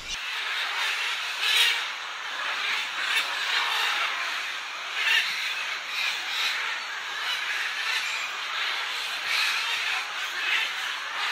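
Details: Macaws gathering with other parrot species along a riverbank clay lick, taking turns eating the salty clay; a dense, continuous chorus of harsh overlapping squawks and screeches from many birds, with no clear gaps, throughout.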